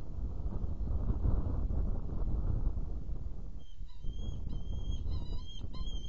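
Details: Hungarian saker falcons at a nest camera during food delivery and feeding on 30 April 2017 around 10:27. Thin, high, squealing notes with a harsh edge come in quick bursts near the end, with loud wind rumble underneath.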